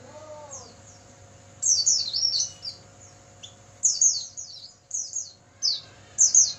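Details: Oriental white-eye song, recorded at night for training caged birds, heard as bursts of high, thin, descending chirps in quick clusters separated by pauses; a lower sliding whistle opens, with a steady low hum throughout.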